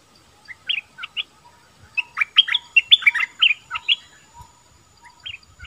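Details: Bulbul giving scattered single chirps, then a dense rush of bubbling, warbled notes, trailing off into a few isolated chirps with light thumps in the background.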